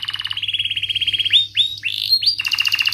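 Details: Canary song in the sharp rolling style used to teach young canaries and restart ones that went quiet: a steady buzzy roll, then several upward-swooping whistled notes, ending in another dense trill, faint hum in the background.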